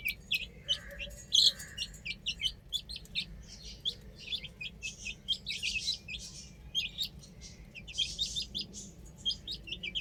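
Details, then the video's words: High, short chirps from baby chickens playing on a roof repeat unevenly in clusters for ten seconds, several birds overlapping, against a steady low hum. "Adorable Chicks Chirping Sounds"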